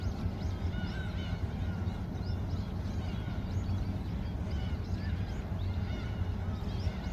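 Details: A chorus of many gulls in flight at Yeouido pier, giving overlapping short arched, squealing calls throughout, close and distant, over a steady heavy low rumble of background noise.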